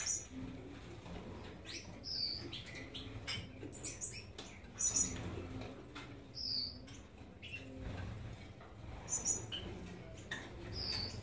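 Gouldian finches give thin, high, short chirps in loose bursts every few seconds, over steady rustling and soft tapping.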